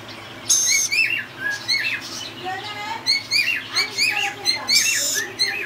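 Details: A tame young rainbow lorikeet gives a string of scratchy squawks and bent, wavering chirps, mixed with a few lower squeaky notes, indoors in a small room.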